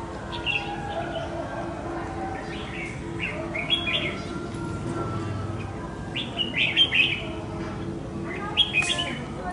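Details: An escaped red-whiskered bulbul returning home to fight a decoy bird gives sharp, high chirps in quick clusters, denser toward the end, over a constant background drone.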